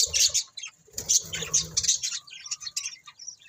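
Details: Budgerigars utter bright, high chirps and squeaky chatter in quick succession, loud at first and then continuing in lighter, scattered notes.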